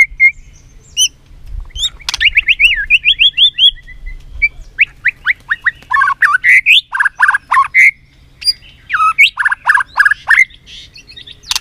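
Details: Shama fighting song, white-rumped, used to rouse and train other birds: high chips, a fast series of rising slurred notes, then varied rapid whistles, harsh notes and clicking bursts building to a loud final burst.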